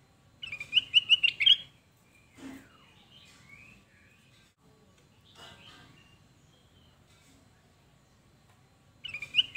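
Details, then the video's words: Sooty-headed bulbul (kutilang emas) song used as a lure to draw answers from other bulbuls: a quick bubbly burst of chirped notes at the start, a lone lower note after, and a second burst at the end amid faint chatter. "kutilang Emas manapun pasti Nyaut kalo dengerin suara burung kutilang Ini"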